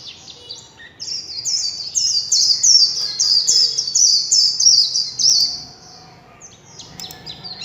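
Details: Warbling white-eye in líu chòe song: after a few scattered high chirps, a long unbroken run of very high, quick, tinkling warbled notes for about five seconds, fading into sparse high twitters at the end.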